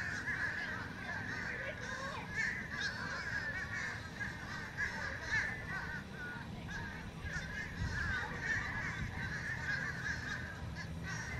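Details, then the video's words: Several fish crows calling noisily in a ruckus, with repeated hoarse, nasal caws in bursts and a constant low rumble of background noise. "Fish Crows calling"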